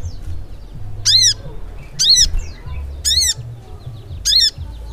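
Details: Crimson sunbird, sogok ontong, singing steadily in ngleper style. Four sharp, high, arched notes repeat about once a second over a continuous low humming background.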